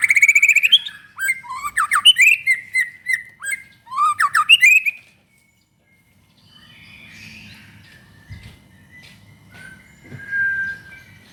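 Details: White-rumped shama singing loudly as a lure for other shamas: rich, varied phrases of swooping whistles and chatters for five seconds, then silence and faint background warbling.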